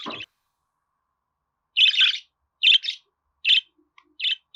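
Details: Budgerigar chirping: short, harsh, grating notes in small doubled bursts, repeated roughly every three-quarters of a second after a brief pause.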